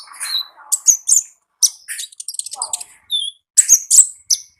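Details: Konin singing energetically in the wild: a busy jumble of high, squeaky chirps and twittering notes, some sliding down in pitch, with rapid clusters broken by short gaps.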